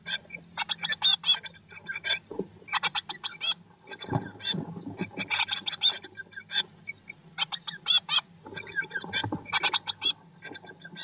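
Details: Eurasian blue tit nest box, 2022 breeding season, day 19 after hatching: clustered bursts of thin, rapid chirps in groups, separated by short pauses, with occasional soft rustling of bodies in the nest.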